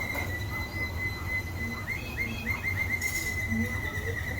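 A canary holds a long, steady whistled note, then breaks into a quick run of repeated chirping syllables, several per second, over a low background hum.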